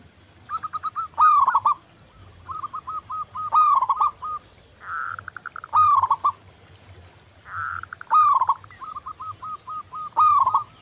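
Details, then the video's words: Local zebra dove, song used as a lure for other doves: loud warbled cooing phrases that begin with quick stuttering notes, each followed by a falling coo, repeated about every two to three seconds, with softer doves answering between the phrases. "Perkutut lokal Gacor Anti Galau"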